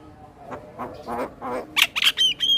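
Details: Male Asian pied starling singing as a model for other starlings: low rasping croaks, then a few sharp, bright whistled chips.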